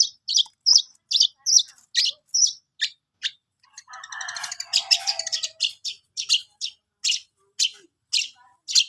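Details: Long-tailed shrike, called cendet, practising song with spaced, sharp high chips about once per second, interrupted midway by a dense burst of scratchy chatter.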